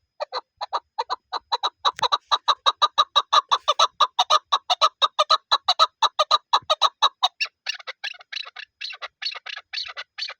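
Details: Chakor calls: a steady run of clucking chuk notes about three a second from a Chukar partridge, shifting after seven seconds to higher, harsher, more rasping notes.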